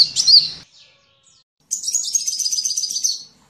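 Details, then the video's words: Sunbird song used as training material for songbirds: one sharp chirpy phrase, a silent gap, then a buzzy high trill running about one and a half seconds. "Masteran burung Kolibri"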